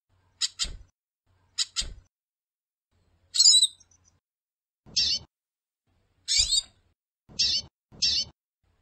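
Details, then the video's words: A captive-bred female goldfinch calls a lot, giving short, high, thin chirps, some doubled, about seven over eight seconds at an uneven pace, with faint low knocks underneath. "Fêmea de Pintassilgo Piando e chamando muito"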